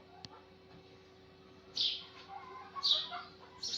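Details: A sparrow chirps in the morning, giving three bright, high chirps spaced about a second apart after a quiet opening, with soft lower twitters between them.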